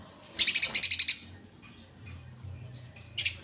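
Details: Sparrow, called gereja in Indonesian, in a fighting call used for master training: a fast run of about eight bright, high chirps, a pause, then a short burst of two or three more chirps.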